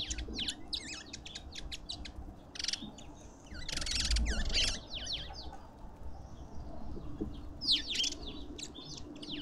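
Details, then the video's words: Lovebirds at a suburban Pretoria garden feeder in South Africa: rapid ticking chirps and high wavering squeaks, broken by raspy buzzes, all set against a low steady rumble. "Lovebirds endlessly"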